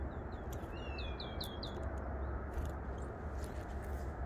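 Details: A Eurasian nuthatch on a mountain summit, early morning of 5 April 2022, with peanuts present, gives a quick run of about six clear, high whistled notes in just over a second, over a steady low rumble of wind or distant traffic.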